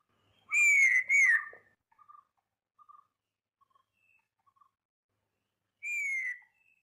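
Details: Wayanad laughingthrush (Pterorhinus delesserti) calling to communicate with fellow flock members in evergreen-forest shrubs of the Western Ghats: two loud, ringing, slightly falling notes back to back, a few faint short notes, then one more ringing note after a pause.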